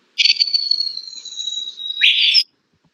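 A babbler gives a long, high, thin whistle that slowly drops in pitch for about two seconds, then ends in a harsh burst, like a falling bomb.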